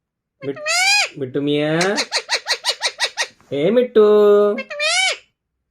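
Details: Talking green Alexandrine parakeets indoors: loud, harsh speech-like phrases with rich harmonics, a quick burst of about ten chopped syllables, then longer nasal utterances ending in a rising-falling squawk.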